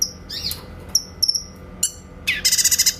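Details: Grey-cheeked bulbul singing clear 'tembakan' shooting notes on a tutor recording for training magpie-robins: sharp high downslurred whistles, then a fast buzzy rattle of repeated notes near the end, with faint low hum.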